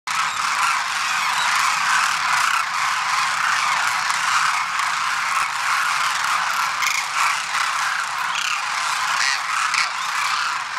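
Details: A large flock of Demoiselle cranes at Khichan, 4/2/2021, gives a dense, unbroken chorus of many raspy, croaking trumpet notes overlapping into a steady roar.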